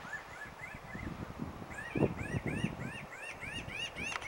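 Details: Near Salida, a flock of Pinyon Jays gives nasal, arching calls in quick, overlapping bursts, several each second, while one bird preens, over low rumbling wind or handling noise.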